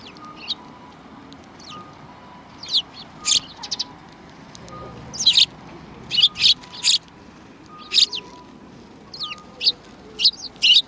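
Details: Several sparrows recorded on 2 January 2019: short, bright chirps scattered singly and in quick clusters, busiest toward the middle and end, over a faint, steady low piping tone that repeats at regular intervals.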